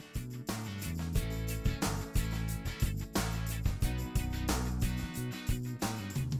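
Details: Strummed guitar music with a steady beat plays throughout, with no animal sounds.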